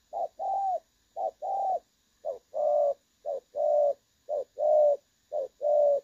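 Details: Spotted dove decoy call in the 'đồng son' style, with a clear pleasing voice. Five even pairs of low coos, each a quick note leading into a longer held one, arrive about once a second.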